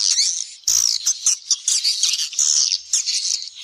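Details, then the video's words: Swiftlet lure call for drawing the birds in during the rainy season: a dense, high, buzzy twittering chatter that runs continuously, broken by short bursts and brief clicks. "SUARA PANGGIL BURUNG WALET"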